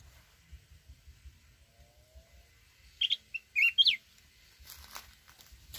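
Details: Red-whiskered bulbul, a mountain-type bird kept for trap fighting, singing in the wild forest style: a short burst of bright, quick whistled phrases with upward-flicking notes in the middle, preceded and followed by faint low rumbling background noise.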